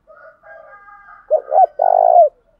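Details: Spotted dove calling as a decoy to spur fighting, fast cooing: soft distant coos first, then two quick loud coos and a long, strong, pulsing coo ending with a slight downward slide.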